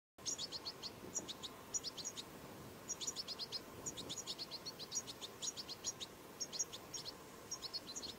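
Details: European goldfinch chicks begging: thin, high twittering calls in quick clusters of three to five notes, repeated steadily throughout, over a low background rumble.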